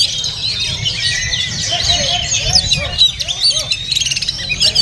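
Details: An Oriental magpie-robin at a bird market sings a rapid run of varied high whistles and chattering notes, with other birds calling and a low murmur of voices behind.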